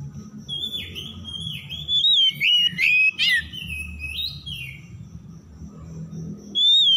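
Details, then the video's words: Oriental magpie-robin (kacer) lure song for stressed birds that went quiet; a flowing chain of whistled slides and trills with several loud emphatic notes near the middle, over steady low background noise, ending in one clear whistle. "PANCINGAN PEMIKAT KACER SETRES MACET BUNYI LANGSUNG GACOR"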